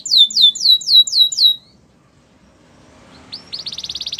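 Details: Canary song for training other canaries: a fast series of bright downslurred whistled notes, about five per second, then a pause and a rapid buzzy trill of high repeated pulses.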